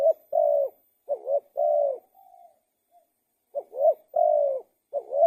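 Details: Spotted dove coos. Several phrases of short bent notes and longer level notes, a soft faint coo during a short gap, then the singing resumes.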